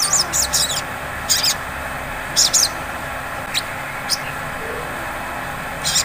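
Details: Sogon sunbird in a ngleper lure meant to trigger singing: sparse short bursts of piercing high chips and single sharp downward notes spaced over several seconds, with a constant low hum.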